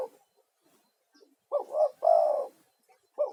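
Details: Male spotted dove giving its persistent lure call, used by trappers to draw other spotted doves and to calm stressed caged birds: two or three short throaty coos bunched together, followed by the start of another phrase.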